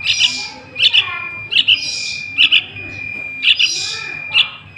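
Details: Young sooty-headed bulbul heard as a trapping lure: paired sharp high chirps every second or so, some with a rasping hiss, and a thin continuous high tone in the background.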